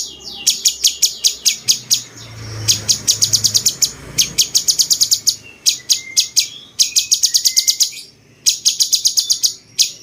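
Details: Cucak cungkok bulbul with a cucak-jenggot-like song, kept as tutor material for competition songbirds: several bursts of quick, piercing chips, each run lasting one to two seconds and separated by short pauses, over a low background murmur.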